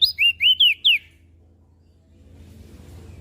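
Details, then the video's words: Short mountain leaf warbler phrase: five clear, high swooping whistles within one second, followed by quiet low background hum. "Opior Jambul Gacor Siang Malam"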